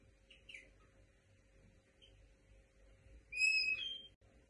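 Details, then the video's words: Linnet × canary hybrid giving its plaintive "complaint" calls: a few soft, high chirps, then one loud, drawn-out whistled note with a slight bend at its end, over a faint low hum. "Quejas del mixto pardillo"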